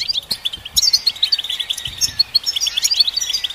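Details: European goldfinch stimulation song: busy tinkling twitter of short chirps and trills, continuous and rhythmic, with faint low knocks in the background.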